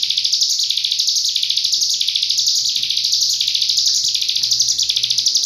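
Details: Dense, rapid 'nembak rapat' singing by a cigun as a master recording for other birds: a relentless high, buzzy trill of quick pulses rising and falling in repeated swells, with faint low rumbles.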